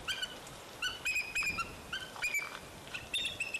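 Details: Bald eagle at Fraser Point on 04-10-2019, when eaglets fell out of the nest and later returned. High, clear piping whistles come in quick runs of several notes, repeated about every second over faint outdoor noise.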